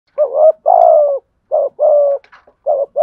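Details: Decoy spotted dove cooing to provoke fighting and lure wild doves: low, mellow coos in short groups of two or three notes, the longer notes slightly falling, separated by brief pauses, with faint chirps in between.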